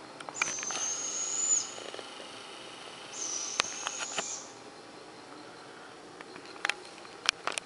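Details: Barred owls near Clarkesville in northeast Georgia, about five or six birds around; two long, high, hoarse hissing screeches of roughly a second each, separated by a pause, with scattered faint clicks and taps.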